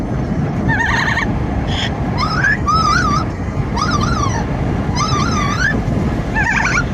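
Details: Pet Amazon parrot on a car commute, giving wavering, looping whistles and squawks over constant wind and engine roar.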